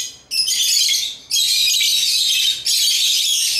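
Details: Pet African lovebirds playing with toys give three long bursts of shrill, grating chatter, each lasting about a second, separated by short gaps.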